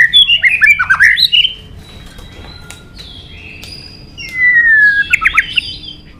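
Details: Fighting song of a White-rumped shama: a rapid run of warbled, tumbling whistles, a lull of soft notes, then a long falling whistle leading into quick chattering phrases.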